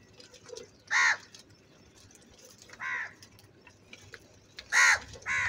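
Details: Crow calling loudly and angrily, harsh caws, four loud ones spaced about one to two seconds apart with a quieter murmur of background noise between.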